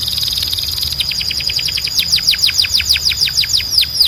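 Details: Belgian canary delivering a fast, evenly spaced series of clear, high, downward-slurred whistles, at first soft and tightly packed, then louder and more separated, about two notes per second.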